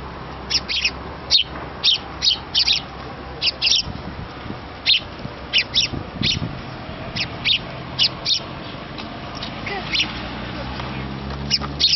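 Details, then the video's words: Young sparrow begging from its parents for a meal: a long run of bright, high chirps, often doubled, repeated every half second to a second, with brief quieter gaps and faint low rumble behind. "Кормежка маленького воробья"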